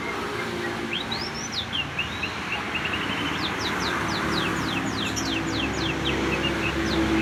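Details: Canary delivering a cucak ijo filled song: arched whistled phrases, then a fast series of sharp descending notes repeated several times a second, with steady traffic-like rumble throughout.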